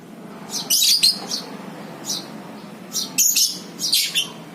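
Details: Lovebird calls used as a lure for ngekek chattering: shrill high chirps grouped into short bursts with gaps between them, over a faint low hum.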